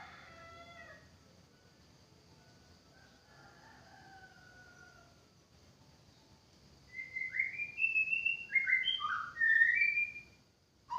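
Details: White-rumped shama, with faint quiet notes early on, then a loud burst of quick, bright whistled phrases that jump between high and lower pitches for about three seconds near the end.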